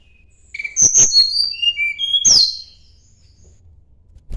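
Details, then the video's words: Sunda blue robin song as a rival-seeking bird: a short burst of high whistles stepping down in pitch with crisp clicks, then a louder, bright falling note and a trailing quieter phrase. "kicau tledekan gunung mencari lawan"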